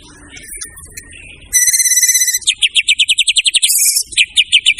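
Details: Murai batu, white-rumped shama, singing as a masteran training bird: a quiet opening with faint twitters, then a loud buzzy harmonic phrase, followed by rapid repeated high chips at about four per second and a shrill burst.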